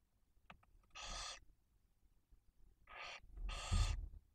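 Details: Barn owl family at the nest in Cabañeros National Park, Spain, during feeding of two tiny chicks. Brief clicks lead into a drawn-out harsh hiss, then two more rasping hisses, with low thumping and shuffling sounds underneath.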